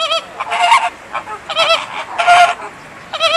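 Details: American flamingo chick two days after hatching at Ueno Zoo, 28 June 2014: nasal, goose-like honks in short bursts, several per second, repeated in groups about every second against a low background murmur.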